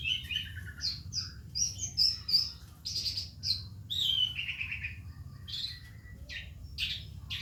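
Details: Calandra lark practising its song: a rich, varied run of whistled notes, trills and buzzy slurs, some falling, delivered almost without pause above a constant low background hum.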